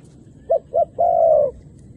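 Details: Decoy dove calling wild doves down to the ground, where both females and males came down; one cooing phrase of two short hollow notes followed by a longer, steady drawn-out coo, with quiet background.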